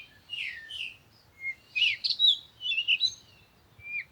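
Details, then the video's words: Bird song: soft whistled notes, then a quick, tumbling sequence of bright chirps and high slurs, ending in a sharp final note. "Sound of the Birds"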